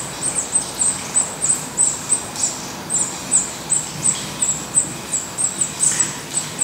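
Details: Black redstart nest in Portugal: clear, sharp, very high chips come about three per second in a steady run, with a faint lower noise behind them.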